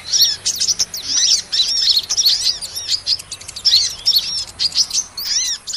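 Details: Sunbird ('kolibri') lure call for trapping small birds: rapid bursts of sharp, high-pitched tweets and slurred chirps, tightly packed, separated by brief gaps, over a quiet background.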